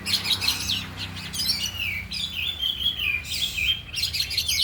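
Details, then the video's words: Caged oriental magpie-robins, four birds, in an afternoon training session, showing their isian fill; high, rapid twittering and whistled phrases with a steady low hum underneath. "Latihan Kacer di Sore Hari Biarpun Hanya Burung 4 Tapi Jalan Semua dan Bongkar Isian"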